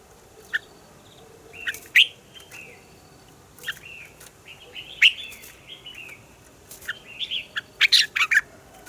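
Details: Red-whiskered bulbul morning song, mature wild-style double-note singing meant to coach other bulbuls: a string of short, lively whistled and chirped phrases, sometimes doubled, repeated every second or two and busiest toward the end.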